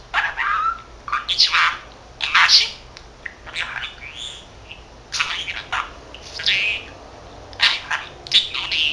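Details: Chattering male budgerigar, a 13-month-old pet that mimics Korean and Japanese words; continuous lively warble of scratchy syllables, squeaks and mumbled word-like phrases, roughly one burst per second.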